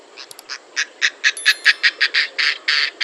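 An Oriental darter gives a harsh series of rasping notes that grow louder and come faster.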